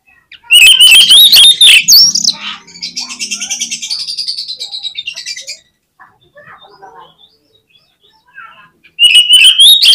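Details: Oriental magpie-robin in full song, used to excite other magpie-robins into intense singing at bird contests: loud whistled phrases with sharp clicks, then a long rapid buzzy rattle, a quieter stretch, and another whistled burst.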